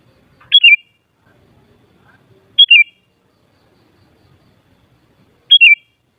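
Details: Sooty-headed bulbul uttering a short, bright, downward-stepping phrase three times at irregular gaps of two to three seconds, with only faint background rustle.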